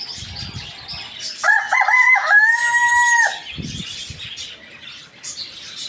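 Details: Rooster crowing in the morning: one loud, harmonic cock-a-doodle-doo of about two seconds, with a stuttered start and a long held, slightly falling final note, over a background of small birds chirping and some low thumps.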